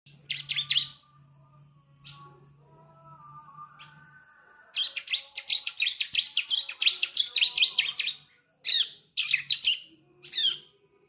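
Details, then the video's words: Young bar-winged prinia (ciblek) learning to sing, kept as a cage bird, its practice song used to coax adults into singing: a short burst of high chirps, a pause over low hum, then a long run of rapid, scratchy twittering notes. "Suara Ciblek Anakan, Pancingan Gacor Ciblek Dewasa"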